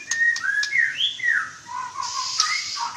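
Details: White-rumped shama (Murai Batu) in active (gacor) song: clear fluty whistles that slide up and down, a few short sharp clicks, then a buzzy high phrase and lower warbled notes toward the end.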